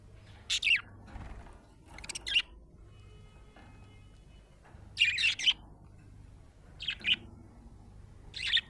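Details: Happy budgerigar chirping in bursts: bright, scratchy warbled chirps repeated every one to two seconds with short pauses, in a quiet indoor setting with faint low hum.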